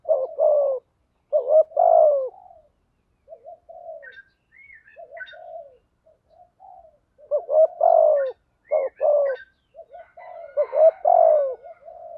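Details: Male and female spotted doves used for luring and training; repeated bursts of deep, throaty coos in grouped phrases, quieter soft coos between, and a few faint higher squeaky notes around the middle and end.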